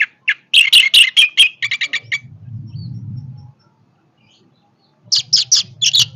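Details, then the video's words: Vigorous orange-headed thrush song: a tumbling rush of loud chirps and buzzy notes, a stretch of low rumbling background, then another quick run of sharp notes. "kicauan Anis merah yang bertenaga"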